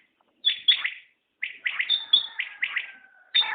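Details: Common quail calling: a few clipped notes in pairs and triplets, mixed with a high thin whistle and a long flat whistled tone near the end.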